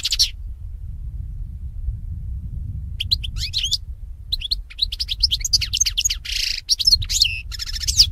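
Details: European goldfinch song for conditioning goldfinches to sing: a short opening call, then a rapid flowing series of twittering, tinkling and buzzy notes over steady low background noise.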